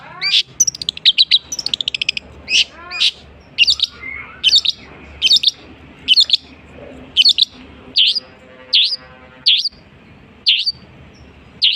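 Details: Mimicking long-tailed shrike: an opening flurry of very high ticks and downslurred notes, then loud sharp bursts repeated roughly every second with quick high flicks.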